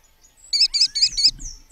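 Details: American kestrel in Brazil gives four sharp, high, evenly spaced notes in quick succession, a shrill klee-klee-klee-klee, with a faint thin whistle before and after.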